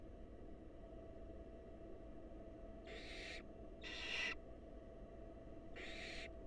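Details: At a wild barn owl nest box during a feeding, with a mouse passed from male to female and on to an eager nestling: three rasping hiss bursts after a quiet start, over a low background hum.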